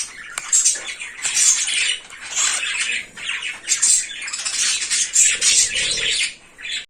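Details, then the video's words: Harsh, noisy squawking from a naughty cockatiel, coming in rough rasping bursts roughly every second, with a faint low murmur near the end. "Naughty Cockatiel"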